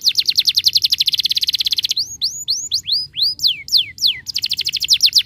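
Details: Canary singing a rolling song to prompt other canaries to sing: fast rhythmic trill, then a series of slow downward-sweeping whistles, ending in another rapid trill.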